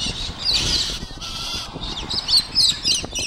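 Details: Several noisy wild galahs in Lakes Entrance give harsh, grating screeches in quick overlapping bursts, calling at once with rasping, high-pitched notes.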